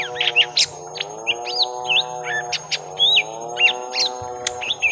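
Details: Lesser green leafbird, a young bird fighting a rival: sharp high chirps and short twisting whistles in uneven bursts, over a steady low mechanical hum that swells and dips.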